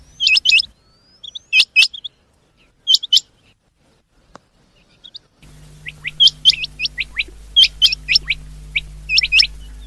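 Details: Rain quail sound, presented as a mix of "changa" and "dogla" quail, possibly female: sharp, high metallic double and triple notes in quick bursts about every second, with a low steady hum behind the second half.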